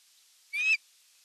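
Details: On a Finnish osprey nest camera in the evening of 30 June 2022, an Osprey gives a single short, high, whistled call, slightly rising and clear against a faint hiss.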